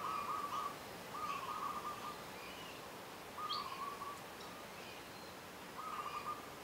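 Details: Zebra dove (Geopelia striata), an introduced species, singing in the morning on Moorea, French Polynesia. Soft, rolling, trilled cooing phrases, each about half a second long, repeat roughly every one and a half seconds. Faint higher chirps from other birds sound behind.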